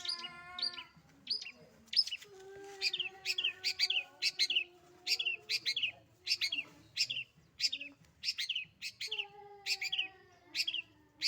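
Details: Long-tailed shrike kept as a pet bird, singing in a lively, energetic manner: a rapid series of sharp, high chirping notes repeated at short intervals, with lower steady tonal whistles running underneath in the first few seconds and again near the end.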